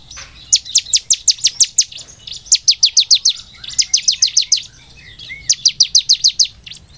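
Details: Bar-winged prinia lure recording with four evenly spaced bursts of rapid, high, piercing chips, each burst about seven notes, separated by short quiet gaps.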